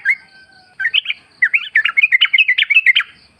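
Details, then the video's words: Wild sooty-headed bulbul in forest surroundings, recorded as a lure. After a thin, steady whistle, a string of quick, rolling chirps rises and falls for about two seconds. "pancingan trucuk gacor ngalas full suara alam"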